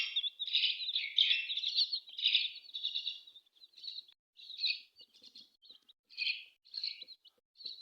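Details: Several colourful chicks cheep together: a dense, shrill chorus of high peeps that runs continuously, then breaks into separate bursts of chirping roughly every half second.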